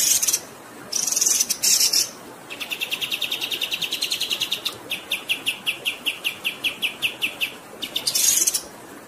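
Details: Bird song prepared as training material for cage birds, mixed with running water: a long rolling series of quick high chirps repeated steadily, with scratchy bursts at the start and end, over a continuous water rush.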